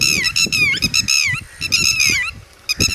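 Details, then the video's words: Red-wattled lapwing (tateri) with chicks: loud, strident, harmonic calls come in rapid bursts of short strokes that slur downward. The bursts repeat through the clip with brief pauses between them, over faint low rumbling. "Red Wattled Bird Singing And Red Wattled Chicks (ٹٹیری )"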